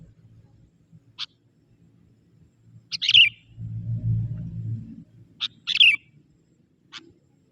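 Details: Young forest sooty-headed bulbul calling to lure wild bulbuls: short sharp chirps, then two bubbly, chattering bursts a couple of seconds apart, with a low rumble beneath.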